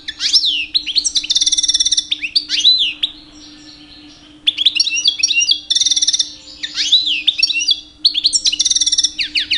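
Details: Mating-season song of a two-year-old pet European goldfinch male courting females: bursts of tinkling twitters, buzzy trills and sweeping slurred notes, separated by short pauses, with a low steady background hum.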